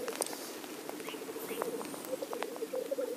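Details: Black grouse cock at the lek, rapid low bubbling trills running almost without pause, rising into louder gurgling bursts near the end, with occasional faint high bird notes and clicks.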